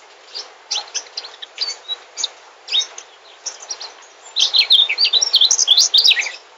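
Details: Scattered soft chirps, then a mugimaki flycatcher, a migrant bird, bursts into a loud, rapid, sweet twittering song of high slurred notes lasting about two seconds.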